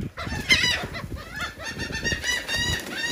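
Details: A busy chorus of gulls eating cake in Atlantic City, New Jersey: continuous overlapping squealing calls, rough and nasal, over a bed of low bumps and shuffling.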